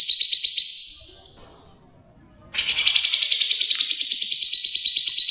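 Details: Grey-cheeked bulbul delivering its clear ngebren song for training champion songbirds: a rapid chattering trill that fades out, a quiet gap of about a second, then a louder, faster rattle continuing to the end.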